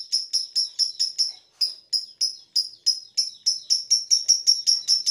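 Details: Pandora lovebird, a caged bird kept on vitamins for stability, giving ngekek song: sharp high chirps in quick series, a short pause after the first burst, then steadier and faster repetition.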